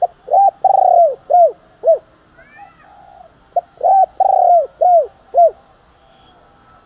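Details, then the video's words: Spotted dove cooing to provoke fighting and as a morning call: a loud run of deep, arched coo notes, several quick ones, a short pause with faint softer sounds, then another burst of rounded, hollow coos. "cu gáy thúc đấu, và gáy gọi buổi sáng"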